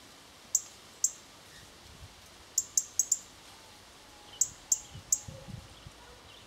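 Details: European robin twittering before feeding on berries: sharp, very high ticking notes, about ten over six seconds in uneven pairs and clusters, against a quiet, faintly hissing background.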